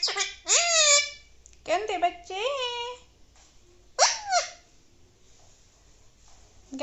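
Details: Indoors, an Alexandrine parakeet talks in several harsh, rising, speech-like syllables grouped into quick phrases, followed by a long quiet pause and a faint low hum.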